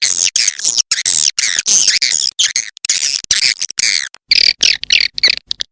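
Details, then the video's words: Dense, almost continuous high twittering and squeaky chirps in swiftlet walet macan merah style, with short gaps and a few thin whistled notes near the end. "SUARA WALET MACAN MERAH"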